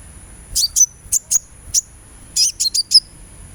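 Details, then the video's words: Sunbird therapy sound to make a kept bird sing: lively series of sharp, high twittering notes, several with short whistled tails, delivered in quick irregular bursts about twice a second, over a faint steady high-pitched hum. "suara terapi kolibri supaya gacor"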